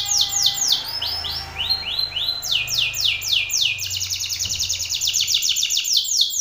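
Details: Belgian canary male sings hard in the face of a rival male. Rapid sweeping trills repeat several times a second and change speed between phrases, with a faint low hum underneath.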